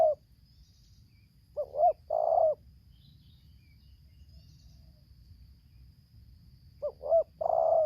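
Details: Lampung spotted dove luring a wild bird with 'tarik akar selang nguku' song: two brief upslurred coos and a long rough coo, repeated after about five seconds of quiet.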